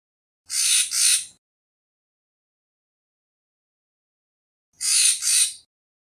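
Racket-tailed treepie giving two harsh, rasping double-noted calls about four seconds apart, with silence in between and no other sounds.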